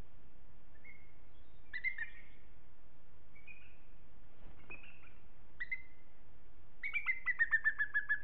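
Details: Booted eagle at Els Ports, 3 April 2020 around midday. A female has just arrived after migration, delayed by an easterly storm, and rejoined the territorial male to repair the nest. Scattered thin whistles come first, then a run of about eight descending piping notes.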